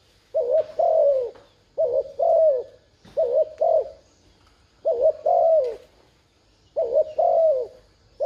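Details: Spotted dove serving as a decoy for wild doves, cooing rapidly and persistently: paired wavering notes followed by a drawn-out falling coo, about six phrases in quick succession.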